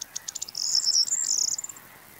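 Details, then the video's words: Corn Bunting song: a few sharp ticks accelerate into a bright, high, jangling rattle lasting about a second, then stop, with faint lower bird calls behind. "Grauammer mit Gesang – Corn Bunting singing"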